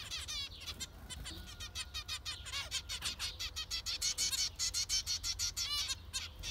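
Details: Dense chorus of zebra finch calls, nasal beeps that speed into a quick repeated series of about three per second, with a thin steady tone behind.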